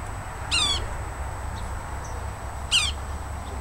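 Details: Yellow-bellied sapsucker in a tree by a house in Montgomery County, Tennessee: two quick nasal mew-like calls, falling slightly in pitch, about two seconds apart against low-frequency background rumble.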